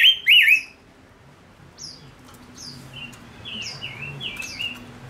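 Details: Male decoy bird opens with loud looping warbled notes, then softer falling whistles in a loose series against faint background hum.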